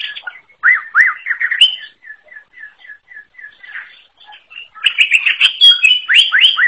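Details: Unique song of a wild greater green leafbird: loud looping whistles, then a run of soft evenly spaced short notes, then a dense burst of varied chirps and sweeping whistles.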